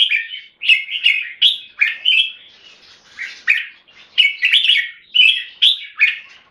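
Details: Red-whiskered bulbul kept in Singapore delivering keke and song: short punchy whistled phrases repeated roughly every half second, bubbling and slurred, with a softer rustling stretch in the middle.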